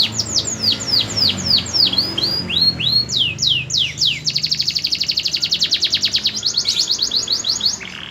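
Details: Singing canary rated as promising: loud descending whistled swoops at an uneven pace, then a fast rattling trill of clipped repeated notes, a brief pause, and more quick trills ending in a buzzy note.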